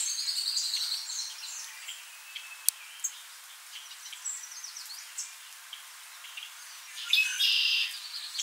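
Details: Worm-eating warbler feeding on midges between sleeping at Montrose Point, Chicago, in May 2016, giving thin, high chips scattered irregularly, with a brighter burst of twittering near the end over a faint hiss.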